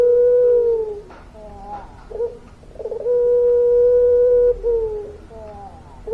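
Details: Drawn-out cooing from a puter pelung dove, a long-voiced singer: a held tone at the start, a soft wobbling middle section, then a steady coo lasting about a second and a half.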